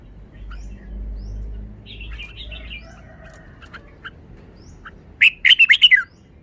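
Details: Red-whiskered bulbul song in the wild-song style (pleng pa): soft warbled phrases and isolated chirps, building to a rapid run of about six loud, bright, ringing notes near the end. A low hum sits underneath.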